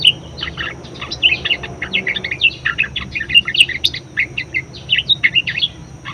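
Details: Rapid, unbroken budgerigar warble of bright high chirps and scratchy twitters from a very vocal bird, kept as a song model to spur and train other birds.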